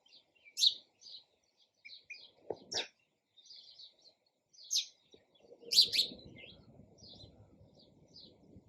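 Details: Chirping sparrow giving bright, piercing single chirps and short groups, with a brief low clatter and a murmur of noise in the background toward the end.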